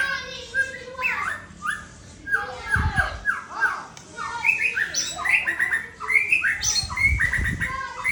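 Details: White-rumped shama of the Aceh type from Sabang delivers a rich, varied song of rapid whistled notes, swooping slurs and chattering bursts in quick succession, with a few low thumps in the background.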